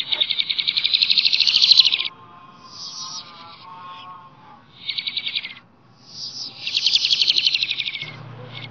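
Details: Wild bird called flamboyan singing in natural surroundings; long bursts of fast, rattling high trills and twitters, each lasting about one to two seconds, separated by short pauses with fainter lower chatter.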